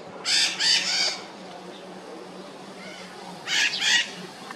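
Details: Red-shouldered macaws calling: two bursts of three harsh, grating squawks each, separated by a pause of about two seconds.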